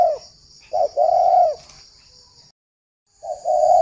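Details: Spotted dove decoy bird for luring, Ba Vì, Hanoi, Vietnam; a falling coo, then a short note leading into a long drawn-out coo, a pause, and another phrase beginning, with a high steady whine.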